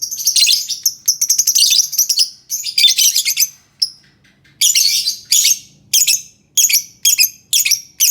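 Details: Lovebird singing used to provoke quiet lovebirds: loud, continuous, harsh, high-pitched chattering in rapid scratchy bursts, a short pause, then more evenly spaced raspy chirping phrases.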